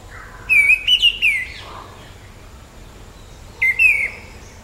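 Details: Orange-headed thrush: a string of three or four quick, warbling whistled notes with sharp, high ticks, then after a pause a shorter two-note repeat.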